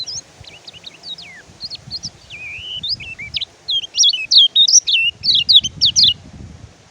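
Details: Oriental white-eye singing, used as a training recording for white-eyes slow to sing: high, thin twittering of quick up-and-down whistled notes, softer and scattered at first, then a loud rapid run of sharp chirps near the end.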